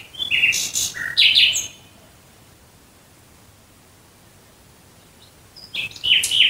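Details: Nightingale singing at night near Dresden, Germany: a short phrase of bright chirps and whistles, a long silence, then another burst of sharp varied notes.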